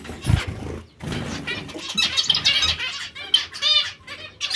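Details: Group of zebra finches giving sharp nasal beeps and quick harmonic chirps in overlapping bursts, interrupted by short pauses and faint fluttering.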